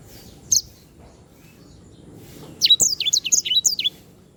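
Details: Canary known as sanger, a lively singer used to tutor other birds: one sharp high chirp, a pause, then a rapid burst of about eight loud, high, down-slurred whistled notes, ending in near silence.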